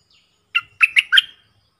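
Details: Bulbul decoy call recorded 31 July 2021: four quick, bright chirped notes in a tight burst lasting under a second, close and clean, with only a faint low thump beneath.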